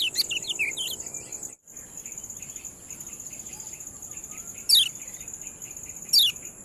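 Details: Yellow-bellied prinia, called kecial kuning, giving ciak calls used as a training recording for captive birds: a few quick high chirps, then two sharp descending sweeps about 1.5 seconds apart over a steady high insect drone.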